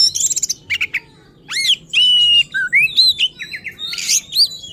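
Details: Fierce, provoking song of an oriental magpie-robin (kacer): a harsh scratchy start, sweeping whistled upslurs, a long level whistle, then quick repeated notes and a raspy burst.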